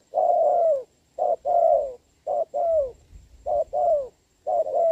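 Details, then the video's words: Wild spotted dove cooing well despite rain, facing a decoy, 26 November 2022; low soft coo pairs, each a clipped note then a longer falling coo, repeated every second or so, faint low rumble between. "mưa mà e bổi gù tốt"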